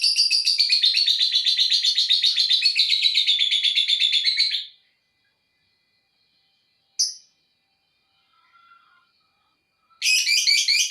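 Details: Lovebird in long ngekek chatter: a rapid, buzzy trill of about four notes per second running unbroken for over four seconds, then silence, one sharp chirp, and the fast rattling trill starting again.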